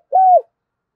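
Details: Spotted dove giving a single short, mellow coo, meant to prompt other doves to coo. The note is steady, then drops slightly at the end.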